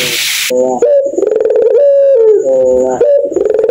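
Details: Puter pelung dove calling at night, likened to a kuntilanak ghost's wicked laugh. A rapid stuttered rattle runs into a long level drawn-out coo, then another rattling phrase follows. A brief burst of hiss opens the recording.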